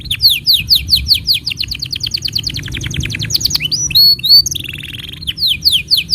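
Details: Canary song to train young canaries and stir silent ones: loud rhythmic runs of sharp descending chips, separated by clear upswept whistles and a brief rattling trill, in a lively varied phrase.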